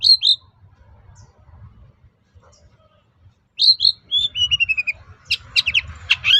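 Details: Long-tailed shrike lure song to incite other shrikes: two sharp chirps, a quiet gap, then a descending series of thin whistles and a dense stretch of scratchy, varied chattering.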